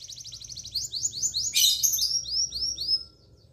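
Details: Canary in long, lively song, used as a tutor recording for young canaries and ones that have stopped singing: a rapid buzzy trill of repeated high notes, then a bright burst and slower, descending swept whistles.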